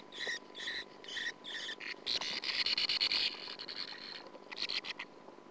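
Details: Sand martin at the nest, filmed by a nest camera in 2009: separate raspy notes, then a dense buzzing, churring passage in the middle, followed by a few quieter scratchy calls.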